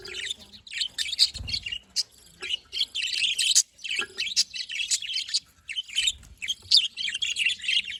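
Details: Cheerful budgerigars, 18 October 2023, warbling in dense chattering phrases of high scratchy chirps and trills, broken by brief pauses and occasional low knocks.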